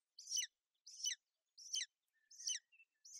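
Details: Golden eagle nest in Bucovina, 28 May 2021, with a female shielding her chick from bad weather; five sharp, high-pitched squealing notes come evenly spaced, with a faint, short whistle between the last two.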